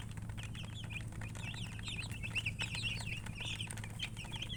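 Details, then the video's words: Chicks chirping in a busy chorus of thin, high peeps repeated several times a second, with a constant low background hum. "Baby "Chicks Chirping" Sound"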